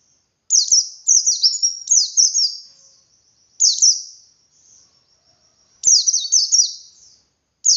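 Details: White-eye singing 'ngalas' wild style with 'wit wit' variation, intended to trigger other white-eyes to sing; clustered high downslurred chirps in three phrases, each trailing into a thin, steady high tone.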